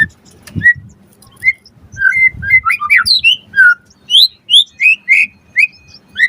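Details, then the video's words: Lure song of a white-rumped shama: scattered varied whistles and twangy notes, then evenly spaced clear whistled phrases, over a faint low hum. "Pancingan Murai Batu Auto Nyaut Langsung Ngplong - Masteran Suara Burung Murai Agar Gacor Full Isian"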